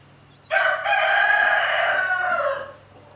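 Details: Rooster harassing a hen with chicks; a full crow: short opening note, then a long, loud, raspy held tone that drifts slightly downward and ends abruptly after about two seconds, followed by quiet.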